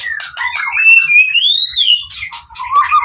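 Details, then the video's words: White-rumped shama song intended to provoke other shamas to answer: one long whistle rising slowly then falling, wrapped in jumbled chattering notes. "Murai Batu Pastol PTRK BF full emosi ... pancingan murai lain bakalan nyautt.."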